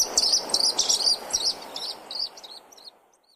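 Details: Pied Kingfisher, one of the loudest and most talkative African kingfishers, gives a rapid, high-pitched chatter of sharp squeaky chirps, several notes a second, fading out over about three seconds against a soft background hiss.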